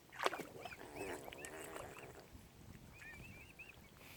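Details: Mute swan cygnets, small and downy, on Lough Neagh at Oxford Island Nature Reserve in Ireland. A loud splash opens, then scattered high arched peeps mix with water sounds, followed by a short run of quick thin cheeps.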